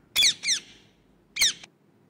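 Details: Parrot, called tia, played back for toddlers learning bird names: two harsh, descending screeches in quick succession, a pause of about a second, then a third screech.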